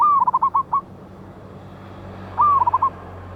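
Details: Strong-voiced wild local zebra dove recorded 11/8/24 for lure trapping: a cooing phrase of a long slurred note and five short coos, then after a pause a shorter phrase of the same pattern.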